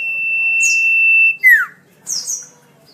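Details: Common iora song used to tutor caged songbirds: the tail of a long steady whistle, then a falling slurred note and two quick, buzzy, high chirps.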